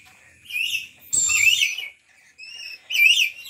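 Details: A pet Aru lory from Papua, a relative of the black-capped lory and said to be rarely vocal, gives harsh, high, scratchy screeches in short bursts about a second apart; lory.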